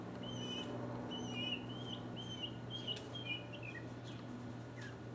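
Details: Mockingbird solo from 2015, a rambling stream of slurred whistles and warbles that shift pitch constantly, with a few higher thin notes and soft clicks, over a low steady hum.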